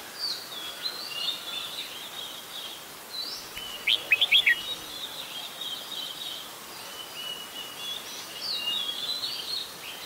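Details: Adult red-whiskered bulbul recorded at Ubon Ratchathani, Thailand, 16 December 2020; one brief, loud cluster of rapid chirping whistles stands out from a continuous chorus of other birds.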